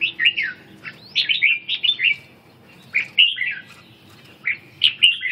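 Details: Red-whiskered bulbul in ché song training, recovering stamina, with three bright groups of warbled whistles, each a lively up-and-down run, separated by pauses of about a second.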